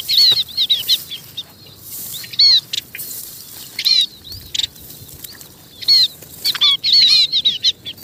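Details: A munia calls to gather the flock. Sharp, high, slightly bending chirps come in scattered groups, sparse in the middle and denser toward the end, over a quiet background.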